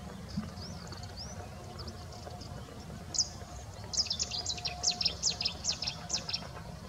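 A song thrush gives high, sharp chirping notes in a quick repeated series of about eight phrases, over a steady low rural hum.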